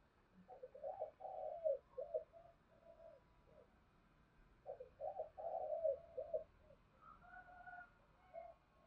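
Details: Spotted dove calling as a lure to stimulate wild doves. Two soft, distant phrases of rolling, hoarse coos are heard over a steady background hiss.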